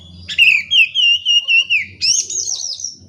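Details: Oriental magpie-robin singing as a lure for birds reluctant to sing: a long wavering whistle held for over a second, then a brighter, higher sustained whistled phrase, with a soft low rumble behind.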